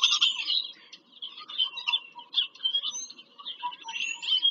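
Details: Near-constant high chattering and squeaky whistles from bald eagles visiting their nest in PA Farm Country, Pennsylvania, 5 February 2023, with fainter, lower chirps underneath.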